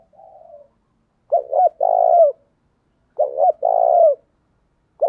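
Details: Spotted dove decoy singing to draw in wild birds: a soft faint coo, then two strong low phrases of clipped notes ending in a long purring coo, a third just starting.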